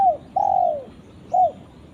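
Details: A spotted dove calls its companion with mellow coos: a long, gently falling coo, then a shorter downslurred note a second later. Quiet background.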